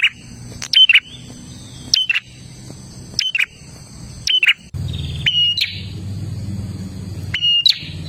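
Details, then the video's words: Olive-backed tailorbird giving gacor dor song, used to get caged birds singing: a run of sharp, explosive whistled notes about a second apart, with one short buzzy trill and a low background rumble. "Suara prenjak Gacor Dor"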